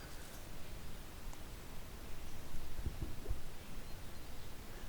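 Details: Only a low, steady rumble of wind or handling noise is heard, with a few faint thumps and no animal voice.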